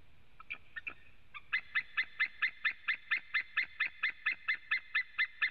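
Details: From a white-tailed eagle webcam in Latvia, 23 September 2017, two males calling: a few hesitant yelps, then a rapid, even chain of around eighteen loud, harsh kyik notes lasting four seconds.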